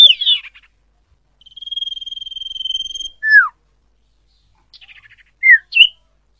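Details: Common iora, recording used as a lure to attract wild birds for trapping, gives a harsh chatter, a long even high trill of about a second and a half, a falling whistle, then soft chattering notes and two short slurred whistles.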